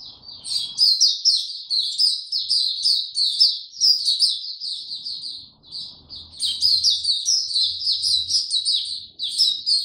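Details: Ten seconds of a white-eye singing on a warm, very humid day, 26 March 2022: long unbroken streams of rapid, high, sweet twittering with brief pauses, plus a faint low hum midway.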